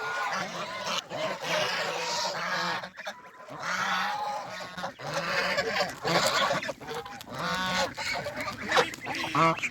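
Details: Geese on a rural farm, feeding and heading for water, honk in irregular loud clusters separated by brief lulls, many birds calling together with rasping, nasal tones.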